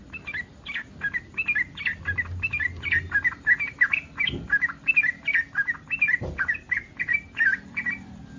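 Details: Yellow-vented bulbul in breeding condition, calling to make other bulbuls answer: a long run of bubbling warbled notes about one per second, with soft low thumps and background hum.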